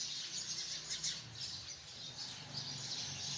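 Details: Sparrows by the hundreds chatter from a tree, rapid overlapping chirps forming a dense high twitter, a couple of louder chirps early on, low hum beneath.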